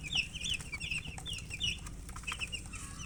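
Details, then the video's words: Short burst of colour chickens chirping: bright, high, downward-slurred peeps in quick succession from several birds over a low rumbling background. "silly chicken chirping sounds with murgi hen color chicken"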